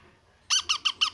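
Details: Baby parrot at feeding time, indoors, giving four harsh, raspy squeaks in quick succession, about six per second, each bright and buzzy with a slight rise and fall, after a brief quiet start with faint room noise.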